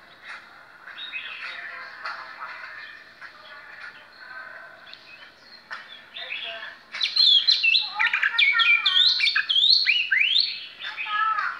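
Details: Oriental magpie-robin singing a show song: low, muddled warbling gives way after seven seconds to loud, varied whistles with sharp slurs and rapid chattering phrases.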